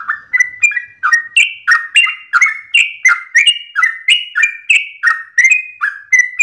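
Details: Sooty-headed bulbul at dawn delivering long rapid 'ropel' style song: bright chirpy two-part notes, each stepping between lower and higher pitch, tumbling along about three per second without pause, with no other sounds.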